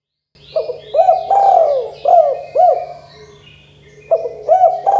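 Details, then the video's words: Spotted dove (tekukur, derkuku), 'KUK 2 gacor dor' style calling, played to coax young doves into calling. A phrase of hooked coos, with one long drawn note among short ones, pauses and then starts again, with faint high chirping behind. "Suara Tekukur Derkuku KUK 2 GACOR DOR"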